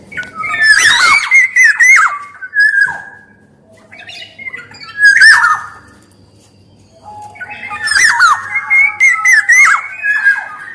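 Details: Black-naped oriole, golden oriole used as a lure and tutor bird, male and female voices; rich fluted whistles mixed with harsh squawky notes in three phrase bursts, with quieter gaps between them.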